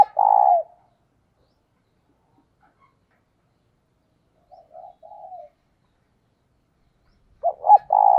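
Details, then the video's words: Decoy spotted dove cooing to lure and provoke wild doves: a loud low coo phrase opens, a softer fragment follows mid-way, and a further stuttered coo closes, with silence between. "Cu Gáy Mồi Thúc - Gáy Gọi Kích Bổi Mới Nhất | Chim Cu Mồi"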